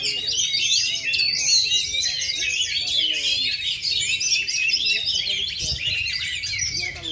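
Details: Oriental magpie-robin, caged and ringed, Indonesia, unmoulted for two and a half years but in full voice; seven seconds of fast, varied high chirps, trills and squeaky whistles delivered nonstop, with soft low murmurs underneath.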